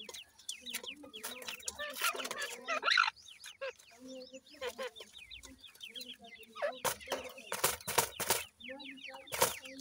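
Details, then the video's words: Brown chicks of the Iranian partridge, locally irani teetar, being fed by a parent: dense, rapid, high, downward-slurred cheeps over soft low clucking, broken by sharp broadband knocks and rustles. "irani teetar k bhuray bachay, teter chicks feed"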